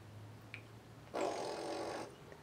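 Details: A male African grey parrot, prompted by his owner, imitates an airplane on February 25, 2011: a breathy, roaring whoosh lasting about a second, steady and broad, after a faint click over a low room hum.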